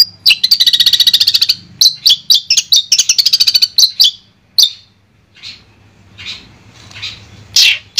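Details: Long-tailed shrike song meant as sound therapy for a shrike no longer singing: an opening rapid rattle, then spaced chirps and short trills, fading into soft scattered notes near the end.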